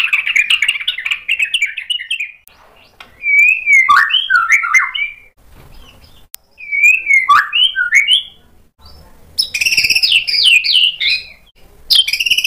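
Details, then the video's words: Provoked white-rumped shama answering with mimicked song material in short bursts: a quick warble, then twisting whistled phrases separated by pauses of a second or two, ending in a loud, high, jumbled flourish. "PANCINGAN MURAI BATU BIKIN EMOSI JADI NYAUT GACOR BONGKAR MATERI ISIAN | SHAMA BIRD"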